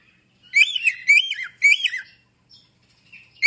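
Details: African grey parrot kept indoors calling out three even, arched, voice-like syllables in a row. Faint softer sounds follow near the end.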